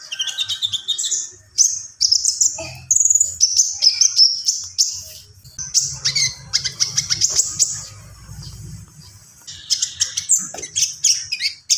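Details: Common iora singing vigorously in a long unbroken stream of high whistles, sliding notes, rapid chips and trills, with a steady low hum behind.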